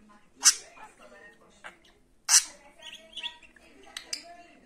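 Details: Budgerigar kept at home chattering, with two loud harsh bursts followed by softer squeaky, harmonic notes and quick twitters.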